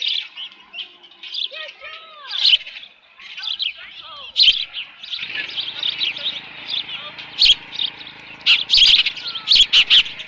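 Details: Osprey nest at Dunrovin Ranch on 13 June 2018, leftover fish: soft scattered high chirps and slurred whistles, growing busier in the second half with sharp clicks and faint background hum.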